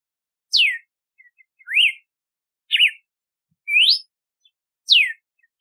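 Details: Clear whistled song of a red-cowled cardinal: five bright notes in quick succession, a falling sweep, a rising note, a wavering warble, another upslur and a final descending whistle.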